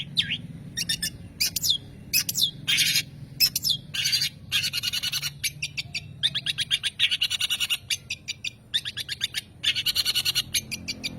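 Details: Long-tailed shrike delivering a long, varied run of harsh grating notes, rapid stuttered trills and hoarse squeaks, almost continuous with short gaps.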